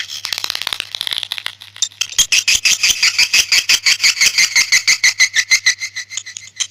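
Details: Swiftlet call used as a lure: a rapid train of dry, buzzy clicking chirps, about three per second, harsh and high-pitched, with a denser chattering wash at the start.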